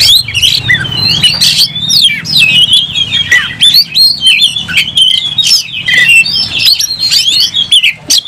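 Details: Aggressive oriental magpie-robin, tail opened, ready to fight, pours out fast varied song: swooping whistles and squeaky chips over a faint low background murmur.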